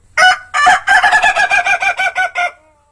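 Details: Ngokok crow of an owned Ayam Ketawa laughing chicken in Meulaboh, Indonesia: about twelve loud, harsh, cackling syllables in quick succession, slightly slowing, over two and a half seconds, then silence.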